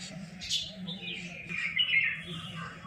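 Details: Birds chirping in a village: thin, high chirps and twittering notes in quick, uneven bursts, with a steady low hum and faint voices underneath.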